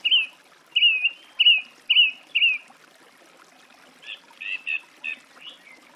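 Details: Song thrush song: five short whistled notes in quick succession, then after a pause a series of varied chirpy notes.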